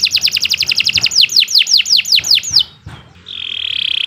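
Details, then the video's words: Canary delivering a rapid series of clipped notes that slow into descending slurred whistles, then a short pause and a sustained buzzing trill, sung as a long, energetic model song. "Kicau Burung Kenari II GACOR PANJANG Cocok untuk Masteran"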